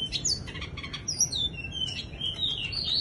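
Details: Bush lark performing its wing-fluttering display, singing skylark-style: a rapid, high-pitched stream of chirps and slurred whistles, bright and varied, over faint low background noise.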